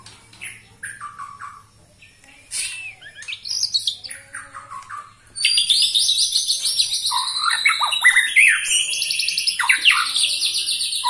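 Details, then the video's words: Twenty-one-year-old white-rumped shama in forceful song: scattered whistled and chattering phrases, then a sudden loud, dense run of high, rapid, buzzy trills and sweeping notes that continues unbroken to the end. "Murai batu ini ternyata usianya 21 TAHUN Gaya main masih NGOTOT"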